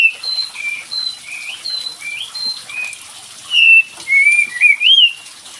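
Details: Kapas tembak bird whistling, played as a lure to get a silent bird singing: soft, evenly spaced whistles, then louder slurred and rising notes near the end, with a faint hiss throughout.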